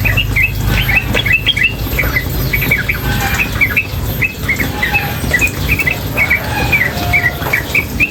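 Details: Female sooty-headed bulbul in a tutor recording, singing nonstop in a rapid chattering style: dense bursts of short, sharp chirps and slurred notes, overlapping and constant throughout, over a steady low rush of water.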